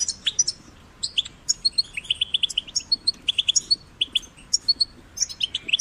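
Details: European goldfinch chicks, caged, played to stimulate singing: quick bright tinkling twitters and high chirps in rapid clusters, with short buzzy notes, continuing throughout.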